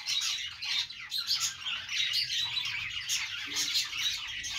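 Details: Several budgies chirping and warbling at once, high twittering with grating squawks and short piping notes, lively and continuous until an abrupt cut at the end.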